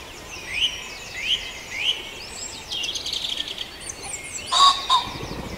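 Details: Farndale dawn chorus: three clear whistled notes spaced about two-thirds of a second apart open the recording, followed by busier overlapping chirps and a louder burst of calls near the end.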